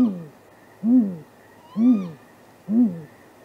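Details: A great grey owl at a nest site around midnight on 23 April 2019, possibly courting, gives four deep, soft, slightly arched hoots just under one per second; a faint high squeak is heard briefly.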